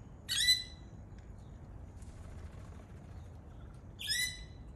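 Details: Native Australian lorikeet parrot giving two short, harsh screeches almost four seconds apart, separated by near silence with low background hiss.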